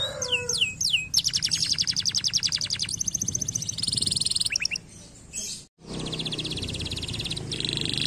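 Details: Canary singing, meant to stimulate lazy canaries to sing: rapid trills of repeated notes, a few downward-sweeping whistles, then fast rolling tours, with a brief break near the end before the trilling resumes.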